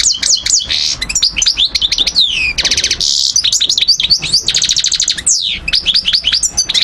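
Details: Energetic goldfinch song from Algiers, Algeria, 2012, subspecies parva: swirling high chirps, repeated rattling trills, short harsh buzzes and a falling whistled slur, all delivered without a break.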